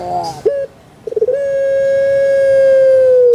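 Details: Puter pelung dove, a well-kept caged bird famed in Java, Indonesia, whose voice is described as kuk gerukkk kwokkk: short opening coos, a quick rolling burst of notes, then one long, steady, drawn-out coo held about two seconds and fading slightly at the end.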